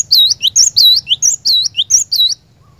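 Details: Cinereous tit lure song aimed at a caged bird: a lively string of loud, high whistled notes, each dipping and rising, alternating with lower slurs, about eight notes over two seconds, then quiet.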